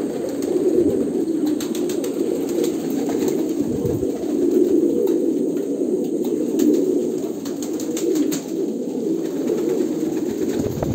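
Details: Kolkata pigeons coo steadily together, a low rolling murmur that swells and dips, with scattered sharp clicks from wings or feet.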